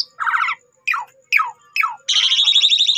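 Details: Lure phrase from an Asian pied starling, intended to make other starlings answer: a rasping pulsed note, then three falling slurred calls about half a second apart, followed by a sustained harsh buzzing rattle.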